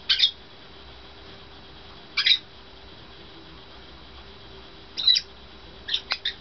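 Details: A pet White-bellied Caique playing on a swing gives short, harsh, high squawks, first singly and then in a quick cluster of three near the end, over a faint steady indoor hum.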